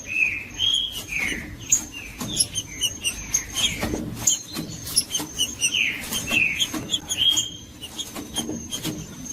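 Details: Green-winged saltator, of the type called judas, singing to stir up other saltators: short clear whistled phrases that rise and fall, repeated several times, mixed with sharp clicks and a faint steady high tone.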